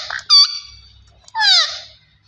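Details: Talking green ringneck parakeet: a clipped nasal squawk, then a longer rough call falling in pitch, with a low hum underneath.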